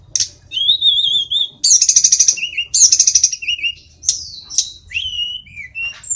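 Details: Mountain sulingan, also called tledekan, a flycatcher kept as a songbird in Indonesia, singing clear whistled phrases that rise and fall, with trilled bursts and sliding notes that drop in pitch, delivered in quick irregular sequences.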